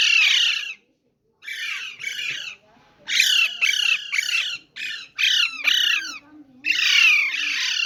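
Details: Parrots in a cage squawk repeatedly: coarse, strident bursts, some short and clipped, others longer and drawn out, coming in quick irregular runs with a faint low hum beneath.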